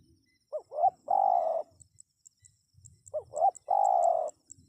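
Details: Spotted dove calling twice. Each phrase is two quick hooked notes, then a drawn-out vibrating coo, about 2.5 seconds apart, with faint high ticking above and low rumbles beneath.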